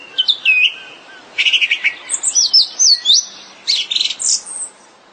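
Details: Song thrush in song: varied high phrases follow one another, with clipped twittering notes, quick stuttered series and thin, sweeping whistles, each phrase separated by short pauses.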